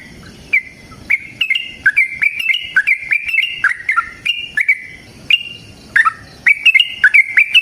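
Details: Sooty-headed bulbul in long fighting song, played to get other bulbuls calling back, a dense chain of whistled, slurred notes stepping between two or three pitches, with short pauses before resuming.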